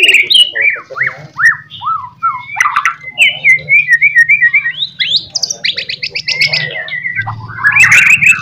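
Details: White-rumped shama singing, used to prompt other shamas to respond: a series of downslurred whistles, then fast rising and falling phrases and high trilled notes over a low steady hum.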